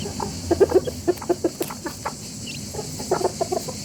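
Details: Bursts of short, clipped clucks from a rooster family calling together, clustered in quick runs with brief pauses between.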